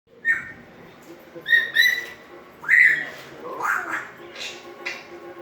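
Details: Ten-month-old African grey parrot making sounds and trying to talk: a string of short whistled notes and squawky, speech-like syllables, some rising, spaced unevenly over a few seconds.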